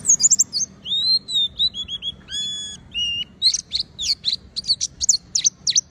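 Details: Oriental white-eye singing tirelessly so other white-eyes follow: high twittering chirps, then clear flat whistled notes with overtones, ending in a quick series of loud sharp downslurred chirps.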